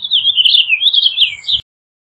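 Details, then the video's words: Purple Finch singing a fast, liquid warble of looping, slurred high notes that wander up and down without pause for about one and a half seconds, then stop abruptly. "Purple Finch Song! Purple Finch Call! Purple Finch! -Camachuelo Purpúreo Canto- Haemorhous Purpureus"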